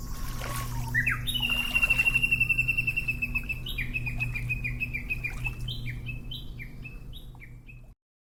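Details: Japanese bush warbler (Horornis diphone) in an early-summer forest in Hokkaido: a long, high, clear whistled song, then a fast run of sharp, stepped notes, the valley-crossing call, over a steady low rumble like running water.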